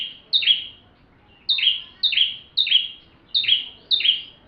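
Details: Bar-winged prinia in full song, recorded as tutor material for magpie-robins: loud high chirps with a buzzy downward tail, one early note then a quick run of five after a pause.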